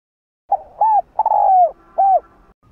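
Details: Spotted dove cooing, played to stimulate other caged doves to coo; four arched coos around the same low pitch, the third long and drawn out, given over about two seconds in a quiet room.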